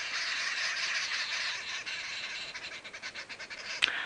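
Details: A group of arrow-marked babblers on an April 15, 2017 sunrise drive around 7:30 AM in South African reserves near Djuma. They chatter in harsh, rapid, cackling notes for several seconds, with a slight pulsing rhythm near the end.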